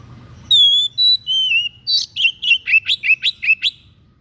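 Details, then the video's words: White-breasted bird with an unusual master-training song: three long pure whistles, slightly falling, followed by a rapid rattle of about ten sharp, upward-flicking chirps. "SUARA ANEH SI DADA PUTIH"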